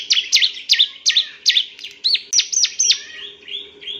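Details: Training song of a male Bar-winged prinia: loud, emphatic chirps, some with a twisting upward flick, spaced roughly every third of a second, then softer level notes, over a low constant hum.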